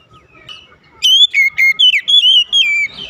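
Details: Oriental magpie-robin song for encouraging a quiet bird to sing, with a string of loud, pure whistles that swoop downward and level out, delivered in quick succession after a soft start.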